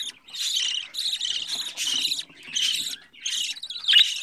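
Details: Young budgerigar, fourteen days old, bred in a home aviary: rough, buzzy rasping bursts about every three-quarters of a second, five in a row, close and loud with clear gaps.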